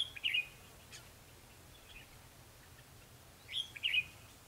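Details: Red-whiskered bulbul giving fighting song during trapping with a lure bird, December 2015: two short, sharp whistled phrases at the start and end, separated by a quiet gap of steady background noise.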